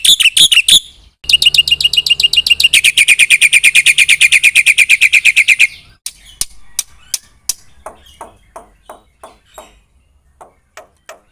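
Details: Black-winged myna in gacor isian song: quick notes, then a long dense buzzing trill lasting several seconds, fading into scattered soft clicks and faint chips.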